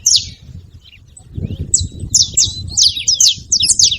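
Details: Saffron finch at a feeding spot. A single high chirp is followed by a pause, then a lively run of steep, falling, buzzy notes, some overlapping, over low background rumble.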